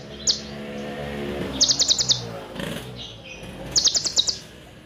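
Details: Olive-backed sunbird singing a tutor song in the 'full nembak' style with 'cililin' fill. It gives a single high tick, then two quick bursts of sharp, high, rattling notes over a steady low hum.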